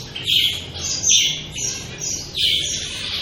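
Long-tailed finches giving high, thin chirps, about three short bursts over three seconds, with a faint low background hum.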